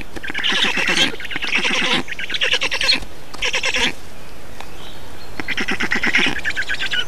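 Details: Black storks in Estonia at feeding, 2 June 2019. Grating, pulsed squawk bursts repeat roughly every second. They stop for a quiet stretch of about two seconds, then start again.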